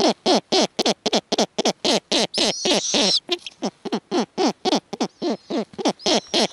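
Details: Snowy owls at a nest with offspring as a male flies in with prey and the female excitedly meets him. Loud, harsh barking notes repeat rapidly, about four per second, broken once by a high drawn-out scream.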